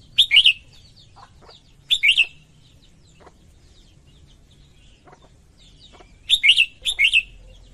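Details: Female red-whiskered bulbul song meant to stimulate males: loud warbled phrases at irregular gaps, two near the end close together, each a quick rising-falling whistle, with scattered soft clicks and chirps between.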